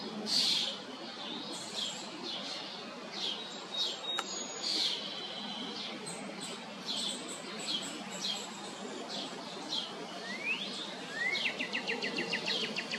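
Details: Downy woodpecker chicks giving scattered high, sharp chirps, then a quick rising note, and ending in a fast buzzy string of rapid chirps, over constant outdoor background hiss with one brief click.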